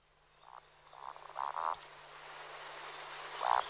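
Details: Display flight of two male Eurasian woodcocks: faint grunting croaks swell into a louder pair, then a brief high squeak, with a final croak near the end over a low steady hum.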